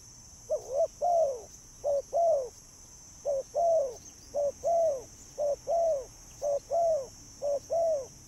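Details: Mellow spotted dove coos meant as a bird lure, each pair a quick note then a sustained, slightly falling coo, repeated at a steady pace against a faint high tone.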